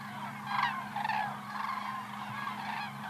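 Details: Flying cranes calling: several loud rolling trumpeted notes from a flock, overlapping, over a constant low mechanical hum.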